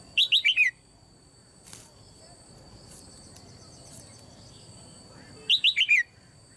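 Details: Caged female Red-whiskered bulbul calling to provoke other birds to sing hard: two quick bursts of four or five chirpy whistled notes, five seconds apart, over a constant high hum and light background noise.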